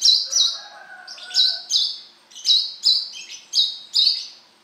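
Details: Brown-throated sunbird song, known locally as kolibri kelapa or wiceh: loud, high, sharp notes about once per second, with a softer, lower, wavering tone in the background early on.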